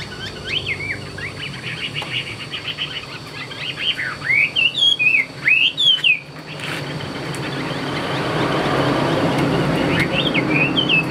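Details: Song of a tame caged hwamei: scattered whistled phrases, then a burst of loud looping slurred notes, followed by rising background noise with a few last faint whistles near the end.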